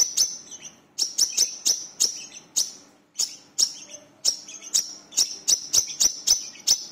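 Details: Brown-throated sunbird singing vigorously on a lure recording for prompting other birds. Bright, sharp, high-pitched chirps repeat steadily, mostly singly, some doubled, with a short pause near the middle.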